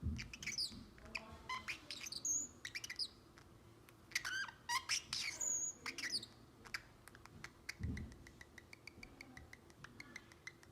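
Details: Seven-month-old male Pacific Parrotlet kept as a pet, producing bursts of sharp squeaky chirps and rapid clicking trills, then a run of quick ticking notes near the end, in a quiet indoor room.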